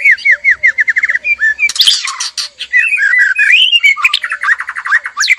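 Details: Male and female white-rumped shama in a breeding cage, male calling to stir mating: a fast series of repeated down-slurred whistles, then a burst of harsh rattles and varied rich, looping phrases.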